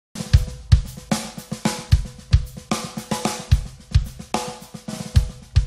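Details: Drum-kit music with a regular beat of kick drum, snare and hi-hat plays throughout, and no birdsong is heard.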